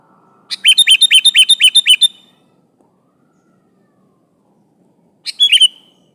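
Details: Sooty-headed bulbul, a prolific singer calling an opponent, delivers a rapid run of about nine sharp, repeated chirping notes over a second and a half, then falls silent before a brief final slurred phrase.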